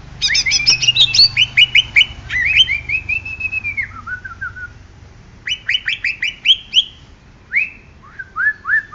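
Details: Greater green leafbird of Banyuwangi origin in full song: rapid strings of sharp chirps sliding into a long descending whistled phrase, a pause, then further clipped rising notes and repeated whistles.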